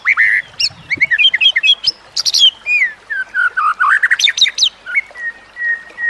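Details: White-rumped shama song used as a training recording for other shamas: rich varied phrases of whistles, quick chirps and sliding notes, clear and loud with brief pauses, ending on a long steady whistle.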